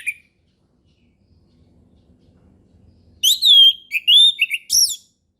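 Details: Orange-headed thrush song used as a lure to teach young birds to sing in the relaxed ngeplong style: after about three quiet seconds with faint low rumble, a burst of loud, high, clear whistled slurred phrases with sharp rising and falling notes.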